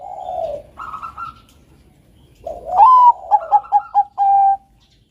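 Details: Zebra dove, Bangkok-type perkutut, singing a melodious master song for training doves: soft low coos, then a rising note followed by a quick run of four short clipped coos and a long sustained final coo.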